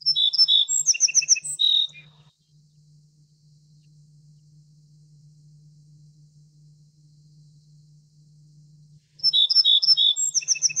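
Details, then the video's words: Little Bunting, Emberiza pusilla: a loud burst of quick, high, tinkling chips and short notes, several seconds of near silence with a low hum, then the same jingling burst returns. "小鵐/Little Bunting"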